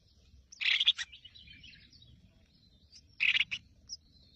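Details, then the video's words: Freshly hatched Crested finchbill chicks being fed by their mother in the nest give two bursts of harsh, high, buzzy begging calls, each about half a second long, with faint background hiss between. "Watch This Mother Bird Feed Her Hungry Babies"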